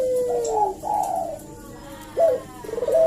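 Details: Barbary dove cooing as a lure for a reply: a long falling purred coo, a second warbling one, then a sudden rising note and a trilled coo closing the sequence.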